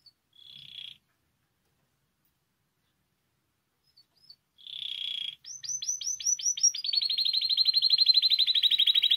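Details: Spanish timbrado canary song for teaching young birds: two buzzy level tones separated by silence, then a burst of rapid downward-swept notes that merges into a fast, even trill.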